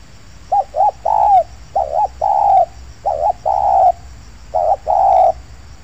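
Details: Wild spotted dove (tekukur) calling at an oil palm plantation in Indonesia while trappers lure it: four cooing phrases, each two short hooked notes then a longer rolling coo, repeated about every 1.3 seconds over faint background hum.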